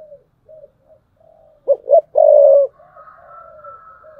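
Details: Decoy spotted dove in thúc bổi cooing: faint background coos, then a loud phrase of two short rough notes and a long low coo. A thin, higher, fading note and soft murmuring coos follow.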